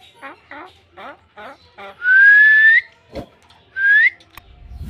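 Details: Common hill myna, a talking bird trying to speak with a man, gives five short falling harmonic syllables, then a long clear whistle that climbs slightly and ends on an upturn, and one more short rising whistle.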